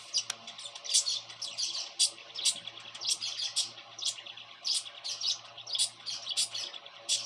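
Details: Young pet cockatiel, grown up from a baby, repeating sharp high chirps roughly twice a second in a steady run, with a faint background hum beneath.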